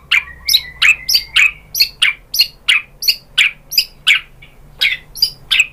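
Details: White-rumped shama played to provoke other birds into song, giving a series of sharp, high, clipped notes repeated roughly every third of a second, steady and evenly spaced.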